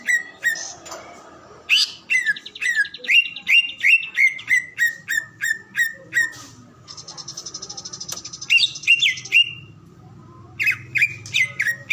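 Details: Song of a greater green leafbird: quick series of bright whistled notes, each dropping in pitch, mixed with rattling high trills and short churring passages, repeated at a brisk pace.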